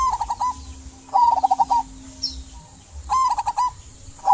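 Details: Local zebra dove, an actively singing bird used to prompt silent doves to sing, giving three rolling, trilled coos, each a short burst of quick pulses, spaced about a second apart, with faint background hum.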